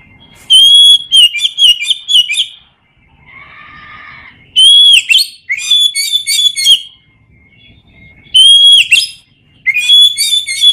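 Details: Oriental magpie-robin ngeplong song, used to train lazy birds: loud phrases repeated about every four seconds, each opening with a strong clear whistle and running into rapid chirping notes, with brief quiet gaps between.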